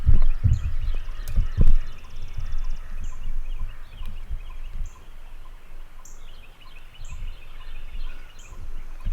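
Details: Wild turkey gobbling before daylight on opening day of turkey season in Tennessee, a distant rattling gobble amid dark woods, with heavy low thumps early on and other birds calling in high, repeated notes.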